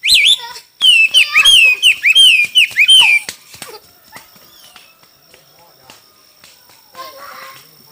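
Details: A hwamei singing competitively delivers a loud fast series of looping, wavering whistles for about three seconds before falling quiet, leaving faint clicks and distant murmurs.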